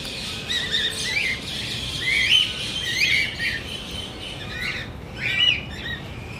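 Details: Cockatiels eating popcorn give short, bright chirps and rising whistled notes in scattered bursts.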